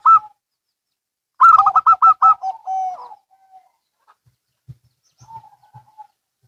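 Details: Zebra doves, local and Bangkok birds, answering each other: a brief note, then a loud tumbling run of doubled coos sliding into a held lower note, followed by faint distant coos and light knocks.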